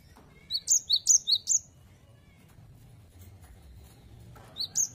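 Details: Cinereous tit, known locally as gelatik batu, giving its lively 'wucit wucit' song: four bright, high chirped double notes in rapid succession, a pause of nearly three seconds, then two more notes starting again.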